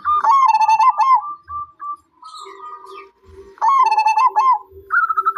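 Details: Zebra dove song: rapid bursts of stuttering, rolling coos near one pitch, each phrase about a second long with brief pauses between, a softer steady hum in the gaps, and faint low thumps.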